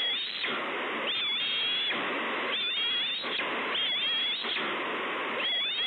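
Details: Bald eagle chick, eaglet K-38, at Two Harbors on 30 May 2013, screeching while hungry and looking for food: high, thin, slightly wavering squeals repeated in quick bursts over a steady rushing background noise.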